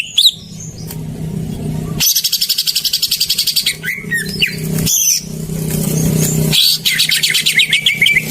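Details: Greater green leafbird song played as a lure to prompt silent birds to sing: bursts of rapid, evenly pulsed high chattering notes alternating with sweeping whistles and squeaky chirps, over a steady background rumble of traffic.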